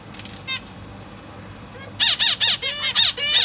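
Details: Zebra finch family in a cage, parents feeding three juveniles and three new chicks, August 2023; a few faint chirps, then six loud, nasal, evenly spaced calls in quick succession.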